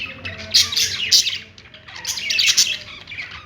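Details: Pet budgies chirping on a perch: two bursts of rapid, scratchy warbled chatter separated by a quieter pause, with high squeaky notes over a steady low hum.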